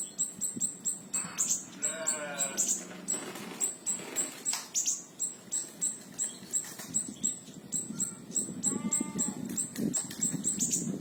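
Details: Siri-siri kecil (small minivet) tembakan song used as a tutor for other songbirds: a steady stream of sharp, very high 'tsit' notes about four per second, with a few lower nasal, harmonic calls and low hum.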